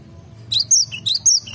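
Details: Garden-recorded Cinereous tit song, two quick repeats of a high, piercing phrase with a sliding whistle followed by a lower note, against a quiet low hum.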